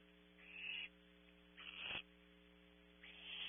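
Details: Nestling barn owl at Audubon Starr Ranch, California, uttering three long, coarse hissing screeches separated by short pauses, accompanied by a steady mains-like hum.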